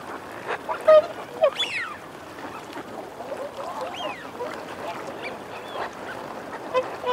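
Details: Eurasian wigeon males and females calling: a few loud rising-then-falling whistled notes near 1.5 and 4 seconds over a steady murmur of low growling and chattering from the flock.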